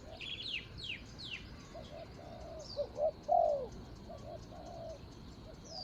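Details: Spotted dove luring a rival in ground decoy trapping: a loud hollow coo phrase midway, two quick notes then a long sliding coo, preceded by sharp downward-sweeping chirps from another bird and steady insect pulses.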